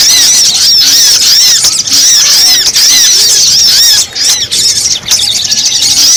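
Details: Rapid series of loud, high, arching chirps from a Brown-throated sunbird lure recording meant to attract wild birds, repeated almost without pause with a few short breaks, very strong and harsh.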